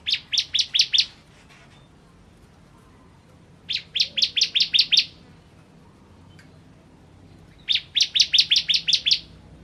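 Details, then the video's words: Ciblek kristal, or bar-winged prinia, singing in three separate bursts, each a fast string of six or seven loud, sharp chirps, with pauses of about two seconds. "Ciblek Kristal Gacor"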